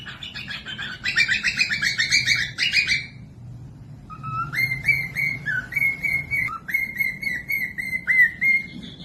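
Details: Cockatiel song meant for tutoring other birds, including quiet ones or chicks, to copy: a rough, buzzy warbled passage, a pause, then clear whistled notes repeated at a steady pace, each a flat or slightly rising tone.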